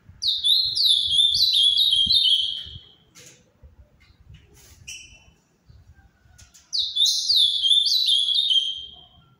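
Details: Captive-bred Ultramarine grosbeak (Cyanoloxia brissonii) of the Paraná type, whose song is counted among Brazil's most beautiful, sings two rich, warbling phrases of quick, slurred, falling notes a few seconds apart, with a faint low rumble between them.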